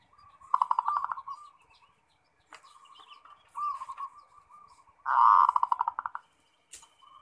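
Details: Zebra dove singing in energetic 'ngerot' style, meant to spur other kept doves into song: loud rolling trilled bursts open and close the recording, separated by softer, drawn-out cooing phrases and a few faint clicks.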